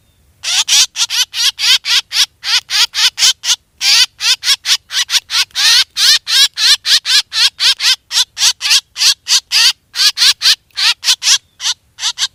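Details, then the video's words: Black drongo calls used as a hunting lure, with a steady stream of grating, buzzy notes at about four per second, with brief breaks, loud and clean against silence. "suab ntxias tshauv quaj dib tua 100% เสียงนกแซวดำร้อง"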